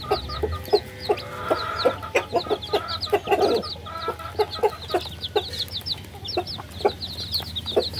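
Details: Baby chickens peeping together, many high, short, downward-sliding chirps overlapping in a steady busy chatter, with soft low clucks and tapping sounds beneath and a faint background hum.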